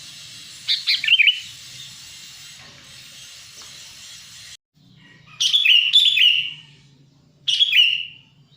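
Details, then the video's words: Sooty-headed bulbul lure call for attracting wild birds: a brief chattering whistle early, a stretch of hiss, then two loud rich fluty phrases with falling tails. "suara pikat burung kutilang"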